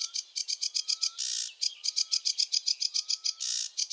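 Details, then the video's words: Sedge warbler singing a continuous fast chatter of clipped buzzy notes, roughly six per second. Two longer harsh grating buzzes interrupt it, and a faint rising whistle sounds in the background. "Sedge warbler song (Acrocephalus schoenobaenus) the warbler rapper"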